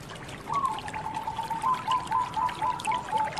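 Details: Local zebra dove heard more softly: a steady run of quick, level cooing pulses held for about three seconds against a hissing, splashing background.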